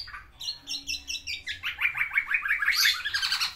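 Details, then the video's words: Courting black-naped oriole in captivity delivering isian phrases: a quick string of clipped, repeated notes that builds into a busy, buzzy chatter. "BURUNG KEPODANG GACOR MENGELUARKAN ISIANNYA UNTUK MERAYU BETINA"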